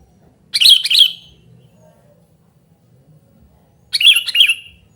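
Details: Loud calling of a sooty-headed bulbul, meant to lure birds and train lazy singers; two double-note bubbly chirps, about three seconds apart, separated by near silence.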